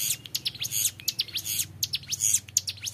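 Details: Young hill prinia delivering fast, high ngebren notes that sweep up and down in quick succession, forming an unbroken piercing rattle above a soft background hum.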